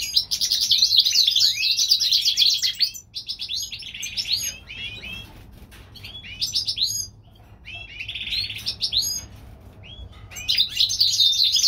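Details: European goldfinch hybrid singing in springtime, California: bursts of rapid, tinkling twitters and buzzy trills alternate with short pauses. Several phrases are separated by quieter gaps over roughly twelve seconds.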